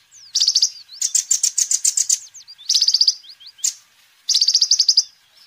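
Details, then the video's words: Actively singing kolibri ninja sunbird, recorded as a lure and tutor for birds. High, rapid metallic trills come in bursts, with a long stuttering series, small squeaky slurs and a single sharp squeak. "Kolibri Ninja Gacor Terbukti Ampuh Untuk Pancingan Dan Masteran Burung"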